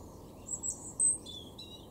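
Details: European robin in a garden in Weener, East Frisia, northwest Germany, April 2023, gives a brief burst of very high, thin, tinkling notes, then a short lower trill, over faint outdoor background noise.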